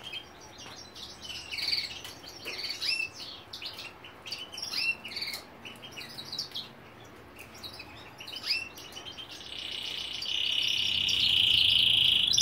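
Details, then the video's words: A female European goldfinch begs food from a canary with rapid, high twittering chirps, about four a second, building into a loud, steady, buzzy trill at the end. "Jilguera Pide Comida a Canario"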